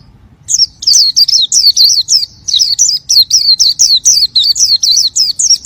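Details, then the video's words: Oriental white-eye singing energetically after a brief quiet start: fast, high, sweet twittering phrases with wavering warbles, delivered in quick bursts roughly every quarter second, a soft low hum beneath. "Suara burung pleci gacor"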